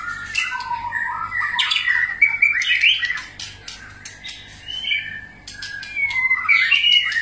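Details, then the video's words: White-rumped shama singing a many-voiced song: varied clear whistled phrases, rising and falling slurs and rich warbles with short pauses between bursts, ending on a bright upward-sweeping flourish. "kích chòe lửa hót,chòe lửa hót nhiều giọng"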